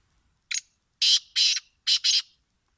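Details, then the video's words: Close, loud black francolin call recorded in winter: one short harsh note, then two pairs of broad, rasping, grating notes in quick succession. "کالے تیتر کی آواز"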